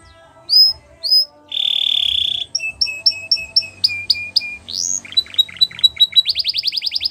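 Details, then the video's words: Canary singing for training young canaries: isolated rising whistles, a steady buzzy tone, spaced sharp chip notes, then an accelerating series ending in a rapid trill. "The Best Canary Singing For Training"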